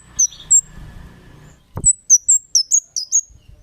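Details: Kemade calling as a lure to draw replies from other birds: a pair of thin high chirps, a faint rumble and a thud, then a rapid run of six piercing, downslurred notes.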